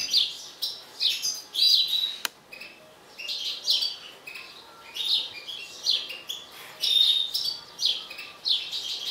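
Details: Agitated mutant European goldfinch delivering bursts of high twitters and clear whistled notes in quick repeated phrases, with a single sharp click early on.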